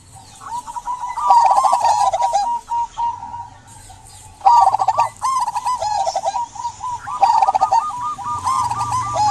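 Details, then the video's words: Energetic local zebra dove song meant to stir silent doves: fast trilled cooing phrases of looped notes, one starting near four and a half seconds, overlaid by sharp high chirps from other small birds. "Perkutut lokal gacor buat pancingan perkutut pendiam agar bunyi"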